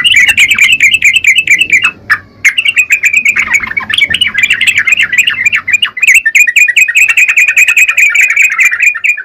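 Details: Long vigorous song of a Yellow-vented bulbul, an almost unbroken torrent of quick, twittering notes lasting over nine seconds, broken once by a brief pause.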